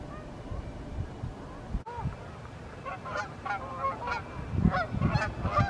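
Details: Evening flight of Canada geese, summer or fall 2020; after a quiet start with a brief click, a run of nasal, bugling honks builds and continues to the end, several birds overlapping, over low thumping noise.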